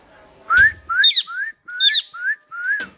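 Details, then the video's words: Parrot talking in six quick rising whistled syllables within three seconds, some tipped with a high chirp, with a soft tap at the start. "Parrot Talking"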